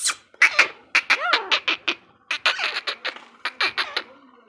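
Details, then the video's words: Female teetar partridge calling, a Sindhi recording for jungle hunting: a fast, harsh chatter of clipped notes, with some swooping rising-falling calls, running almost without a break. "female sound female recording Sindhi teeter sound teeter hunting partridge jungle mein Shikar"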